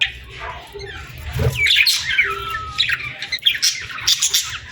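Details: Sunset on a summer evening brings overlapping bird chirps: high sweeping notes and crisp ticks, with a short drawn-out whistle, a soft low thud early on, and steady low background noise.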